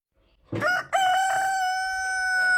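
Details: A rooster crows: a rough, broken opening syllable, then a sustained, level, ringing crow that is still going when the recording cuts off, over faint low background noise.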